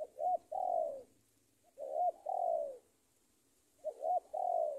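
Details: A spotted dove lure call to draw rivals repeats a soft, low coo phrase three times, a short note then a longer falling croon, roughly every two seconds, over a faint background hum.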